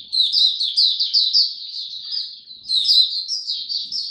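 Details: Clean recording of an Oriental white-eye's song display, 26 November 2022: continuous bright, high, rapid twittered warbling, a short dip in volume then a fresh energetic run.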